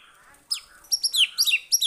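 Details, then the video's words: White-rumped shama answering a lure recording with sharp, very high, downward-slurred whistles in quick clusters after a brief quiet start. "Kicauannya gak ada remnya !!! Tonton sampai akhir video Murai Batu Gacor ini"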